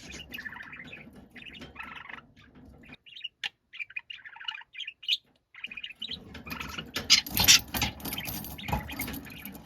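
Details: Budgerigar in a noisy, angry outburst: soft warbling chatter and short chirped phrases with brief silences, then a sudden loud stretch of rapid, harsh, buzzy squawks.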